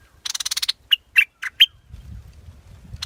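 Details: Scarlet-backed flowerpecker giving a quick run of about seven thin, high buzzy ticks, then four sharp separate chipping notes, with a low rumbling hum underneath toward the end.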